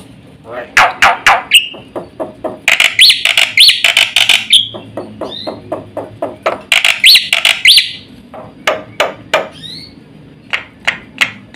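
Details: Black-winged starling in fast, chattering full song, used to provoke and tutor other songbirds: bursts of rapid repeated harsh clicks alternate with dense loud chatter and short upslurred whistles, with brief quiet gaps between phrases.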